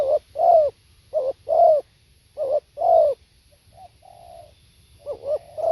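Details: Spotted dove cooing live: three loud phrases of a short coo followed by a longer, warm descending coo, then a pause with softer, muffled notes and the start of another phrase.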